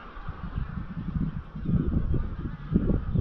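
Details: Evening exodus of wild greylag geese from a grazing field to Llyn Maelog near Llanfaelog, Anglesey, at dusk; a dense run of honks builds in the second half over gusty wind noise.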